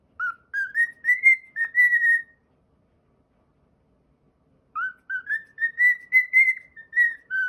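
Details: A cockatiel whistles two phrases of its original tune, each a string of short notes climbing in pitch and ending on longer level whistles, with a silent stretch of over two seconds between them.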